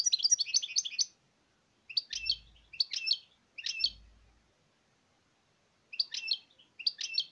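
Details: A European goldfinch opens with a rapid twittering run, then gives short separate bursts of sharp, liquid chirps with silent gaps between them; two brief low hums sound beneath the early phrases.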